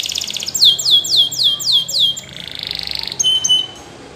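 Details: Belgian canary singing indoors: a run of six loud descending whistled sweeps, then a buzzy trill and short high notes, all bright and high-pitched.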